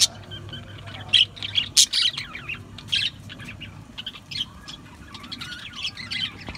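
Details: Budgies giving bursts of harsh squawks and bright chirps, with quieter twittering between the louder notes and a faint low hum behind.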